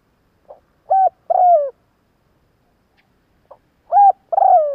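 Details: Spotted dove calling to stir wild birds, two matching phrases about three seconds apart, each a soft pip, a level coo and a longer rough descending coo, in a quiet setting.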